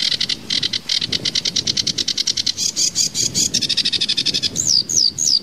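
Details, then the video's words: Tembakan variasi song of a sedge warbler, locally kerakbasi alis hitam: a long rapid series of harsh chattering notes that quickens into a trill, then three sharp down-slurred whistles. "kicau tembakan variasi sedge warbler"kerakbasi alis hitam""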